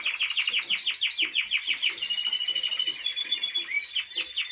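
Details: Timbrado Español canary in training, 2023: series of quick descending chirped notes repeated in rhythm, merging into a rapid rolling trill with a whistled overtone.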